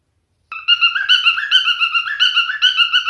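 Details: After a short pause, a male cockatiel starts singing: looping whistled notes that step up and slide back down, repeated over and over.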